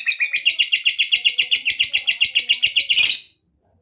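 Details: Fighter lovebird in long ngekek chatter, meant to stimulate other lovebirds to sing: a fast, even series of about four shrill rasping notes per second for three seconds, ending in a louder burst and then silence.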